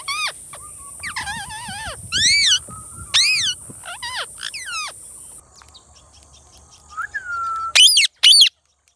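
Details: Indian Ringneck parrot making varied loud screeches, wavering squeals and drawn-out rasping notes in irregular bursts, with quieter gaps and a faint whistle between them.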